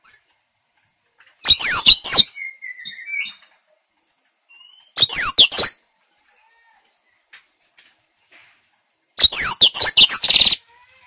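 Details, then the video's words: Black-throated canary song used as a training lure to get a bird singing: three bursts of rapid, high, twittering and trilling notes with sweeping slurs, separated by silent gaps. "Pancingan blacktroat agar cepat gacor"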